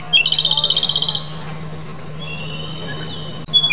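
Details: A single Japanese robin phrase: a brief high note and a quick rattling trill near one second long, then thin faint whistles as it fades, over a constant low background hum.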